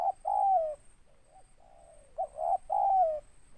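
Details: Big-voiced local spotted dove in 'ngeruk' style with 'tindan': two coo phrases, each a brief note and a falling longer note, separated by quiet wavering coos. A thin constant high hum sits in the background.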